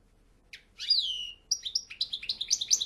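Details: Song of a European goldfinch, opening with a single short note and a long downward-sweeping liquid whistle, followed by a fast chain of tinkling, chirping syllables with no other sounds.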